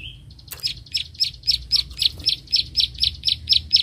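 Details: Bar-winged prinia of rice fields clicking at a rival during a fight: a short thin whistle, then evenly spaced sharp clicks about twice a second through the rest, over faint low hum.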